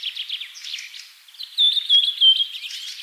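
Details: Birds singing outdoors: quick high chirps and twitters for the first second and a half, then a louder sustained, slightly wavering whistled trill holding steady at a high pitch, with softer chirps behind it.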